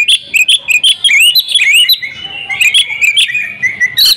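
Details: Kept female oriental magpie-robin in energetic full song, quickly stringing together bright whistled chirps, twisting slurred notes and short trills with mimicked phrases, almost continuous, notes repeated several times a second.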